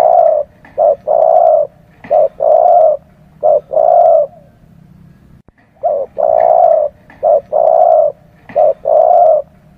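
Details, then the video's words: Spotted dove coos used to lure birds for catching: dense, heavy coos in alternating short and long notes, two long runs separated by a brief pause, with low background noise. "tiếng chim cu gáy || GÁY, THÚC, GÙ"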